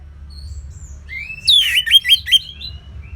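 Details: Kept orange-headed thrush in ngeplong style, North Bali: after soft faint whistles, a quick loud phrase of five sharp, slurred whistles falling and rising in pitch, delivered in about a second.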